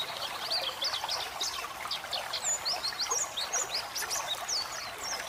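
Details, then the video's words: White-eye song used for training pet birds, with flowing water throughout: busy, high twittering chirps in clustered bursts, partly blending into the loud trickle of water. "masteran burung pleci gacor ngeriwik ngeplong"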